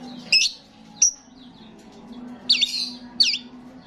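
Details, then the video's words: Starling vocalising actively, as lure sound to attract starlings: four sharp, high whistled chirps, two close together near the start and two bending notes later, separated by pauses, over a steady low hum. "Attract starlings ‼️ sound of the gacor starling"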